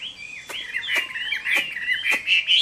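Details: Summer midday fighting song from a Chinese hwamei, a continuous warbling of wavering whistles broken by regular clicking taps, ending on a higher bright note.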